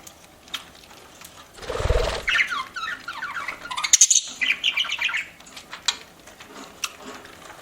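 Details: Pet parakeet chirping as it eats: a loud rustle is followed by a long run of bright, rapidly warbled chirps and high squeaks, then a few scattered clicks.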